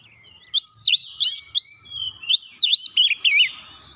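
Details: Oriental magpie-robin song played as a lure to provoke a response: clear, loud whistled phrases with sharp rising and falling sweeps, delivered in quick bursts of about a dozen notes, rich and varied throughout.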